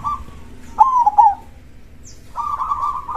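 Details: Crossbred zebra dove with a loud voice singing: one full cooing phrase with two trilled notes, a pause, then a steady droning coo that starts the next phrase.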